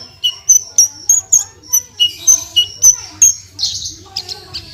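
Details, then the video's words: A Javan bush lark (branjangan) sings gacor, repeating sharp high whistled notes about every third of a second, some dipping lower, before ending in a rough buzzy burst. "SUARA BURUNG BRANJANGAN GACOR FULL TEMBAKAN"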